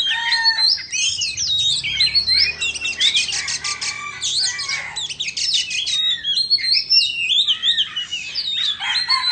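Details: A White-rumped shama of the Indo form sings loudly as it dances with its tail fanned, pouring out a dense stream of rapid trills, rattles, chips and whistled slurs, varied and almost unbroken.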